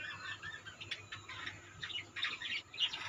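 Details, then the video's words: Budgerigars chatter in a colony. Rapid, overlapping high chirps and squawky warbles run without pause, growing a little louder near the end, over a soft background hum. "budgeis birds colony"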